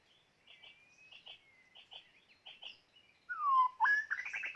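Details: White-rumped shama kept as a trapping decoy: soft, spaced chirping notes over a thin sustained whistle, then a loud descending whistle and a quick burst of buzzy, stuttered notes.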